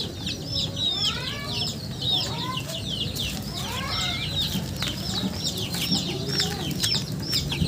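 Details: Chickens calling with crowded high peeps, plus lower sliding whistles at times, over a rumbling background and occasional clicks.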